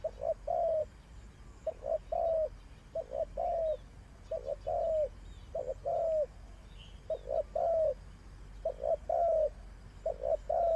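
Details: Spotted dove kept as a decoy bird for trapping, giving low, mellow coos in short two- and three-note phrases, repeated steadily about every second and a half, over a quiet rural background.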